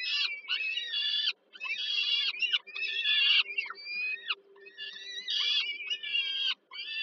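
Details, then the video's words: Peregrine falcon young being fed by the female at an evening meal, Żerań, Warsaw, Poland, July 2022: loud raspy screaming in repeated one-second bursts with short breaks, a low hum running underneath. "Sokół wędrowny Warszawa, Termika Żerań (PL)- kolacja, Nela karmi maluchy 2022 07 15"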